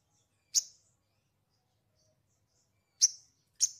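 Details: Three piercing high chirps from a sogon, played to coax raw birds into voice, the first alone and the last two close together after a long silence.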